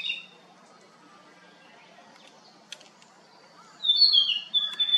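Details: Narcissus flycatcher at Kinugasayama Park on 4 June 2019 gives a brief high note, then, after a quiet stretch, a bright burst of clear, fast whistled phrases.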